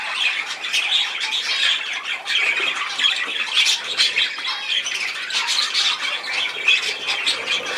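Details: Budgerigars filmed on 10 June 2024, a continuous mass of overlapping chattering warbles, squeaks and harsh squawks from several birds at once, steady and busy throughout with no pauses.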